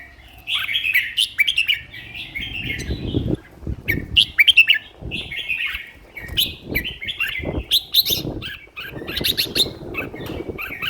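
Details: Caged red-whiskered bulbul kept as a competition songbird, singing fiercely and vigorously: rapid bursts of bright, warbling whistled phrases near the upper-middle range, repeated with short pauses across the clip, over soft low rumbling thumps.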